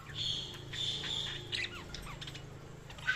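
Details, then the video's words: Budgerigar chirping: a sustained buzzy note followed by quick downward-slurred chirps, over a steady low hum. "Budgies Sounds| Budgies Chirping sound"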